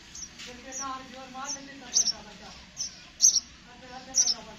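A sparrow gives short, sharp, high chirps at an uneven pace, roughly one or two each second, over a lower steady humming tone in the background.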